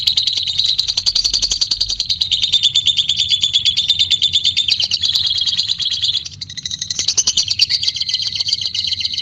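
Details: Long ngekek trill from a white-beaked lovebird, a fast, shrill, continuous chatter of high notes that dips briefly midway, then resumes with a slightly higher, steadier whistle-like tone.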